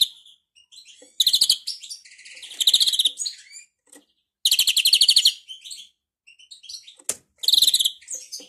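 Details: Greenfinch singing a faulty song: several rattling, buzzy trilled bursts of quick repeated notes, with quieter chirps and short twittering notes between them and a brief pause near the middle.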